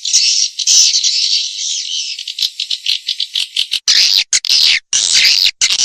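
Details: Swiftlet calls played to attract swiftlets: a continuous buzzy high twittering that breaks into quick separate chirps, then sharper clipped bursts near the end.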